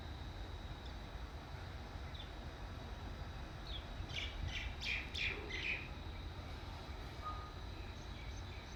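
An Alexandrine parakeet gives a quick cluster of harsh, grating screeches midway through, over a steady low rumble of traffic.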